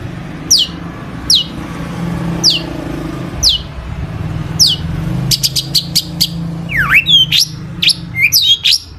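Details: Long-tailed shrike singing a song rich in imitations, played to provoke other shrikes into song; sharp high downslurred notes about once a second, then quick clicks and twisting whistles, over a steady low traffic hum.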